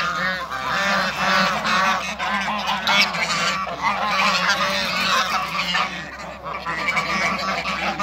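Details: Several Toulouse and African geese in a backyard, kept together to create a new hybrid, honking continuously in rough, overlapping calls with quick stuttering notes throughout.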